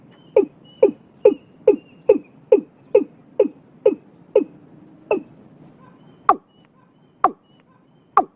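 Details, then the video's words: Early-year watercock (cúm núm) from Vietnam giving a run of low, hollow, down-slurred booms about twice a second, then a few sharper, spaced-out notes near the end. "Tiếng cúm núm đầu năm"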